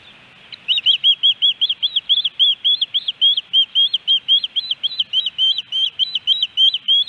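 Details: Loud osprey calls at a nest in Hellgate Canyon, Missoula, Montana, on July 13, 2018, a three-fish day: a steady, insistent stream of about thirty high, arched whistled chirps in near silence.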